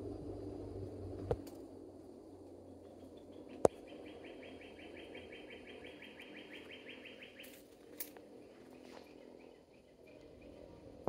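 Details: At Sweetwater Park in Oviedo, Florida, a northern cardinal sings a long, rapid series of slurred whistled notes lasting about three seconds, somewhat distant, with a few sharp clicks and low background noise.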